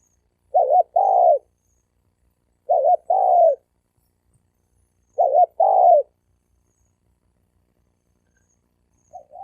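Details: Spotted dove males dueling in a challenge bout. Paired coos come in a quick wavering double note followed by a fuller falling note. Phrases are spaced two to three seconds apart, with silence between them.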